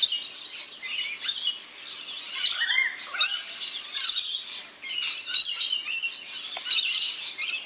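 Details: Rainbow lorikeets bathing in a backyard birdbath in NSW, Australia; a dense flock chatter of harsh, screechy, high-pitched notes overlapping continuously, rising and falling in bursts throughout.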